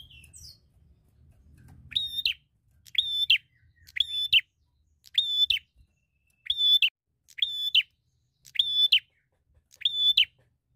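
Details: Bar-winged prinia, a fighter bird seeking a rival, gives eight buzzy, harmonic notes, each about half a second long and ending in a sharp flick, spaced roughly one per second after a brief quiet start.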